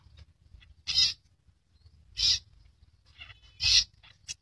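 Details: Rare albino long-tailed shrike with red eyes giving three short, harsh, raspy bursts spaced about 1.4 seconds apart, with quiet gaps and a faint low hum underneath.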